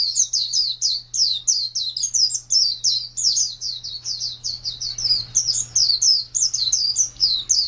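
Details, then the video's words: Prized pleci, a white-eye kept for song contests, 2017: a long, busy stream of thin, high chirps, each dipping in pitch, delivered almost without pause; a low hum runs steadily beneath. "Birds Chirping Pleci Master Joss Chirps"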